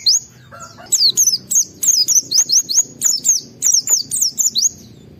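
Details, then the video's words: Near-continuous white-eye song in a state of high emotion, used to set other white-eyes singing: steady, rapid sequence of sharp, high falling-and-rising whistles over five seconds, with a brief lower note early on. "Pleci Mental baja EMOSI Tinggi ampuh mancing semua pleci segera gacor buka paruh"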